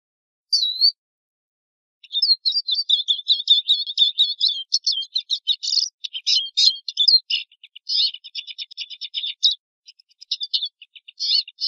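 Eurasian siskin singing: a single high note, then a long, fast, unbroken twitter of high chattering and trilled notes with brief wheezy bursts.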